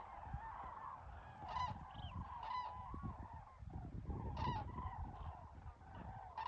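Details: Wild common cranes, a crowd of birds giving loud trumpeting, honking calls, some sharp rising notes standing out above a continuous chorus, over low rumbling background noise.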